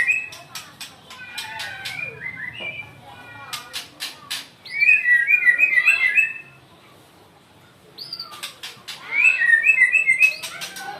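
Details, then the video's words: Angry white-rumped shama singing rapid trilled whistled phrases broken by dry clicking notes, two loud bursts separated by a near-silent gap. "marah dia gaesss"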